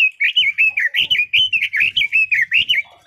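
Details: Steady, lively warbling by a red-billed leiothrix (Leiothrix lutea): a continuous string of rich, slurred whistled notes, roughly four to five per second, each rising and dipping in pitch.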